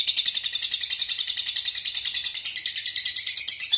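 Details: Lovebird singing a continuous konslet-style song filled with walang (grasshopper) phrases: dense, very high, rapid buzzing trill, pulses about four per second, unbroken throughout.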